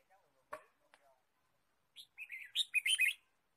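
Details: Red-whiskered bulbul in a forest during bird trapping, 23 March 2017: after two faint clicks, a burst of short bright chirps and warbling notes around one second long, quiet background.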